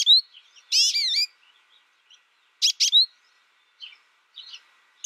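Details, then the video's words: American goldfinch raised in isolation through its first year, learning from a recording without other birds, singing: long wavering harmonic note near the start, then paired sharp chirps and scattered high twitters with pauses. "My American Goldfinch sings a tutor calling birds, goldfinch excitation to sing,goldfinch chirping"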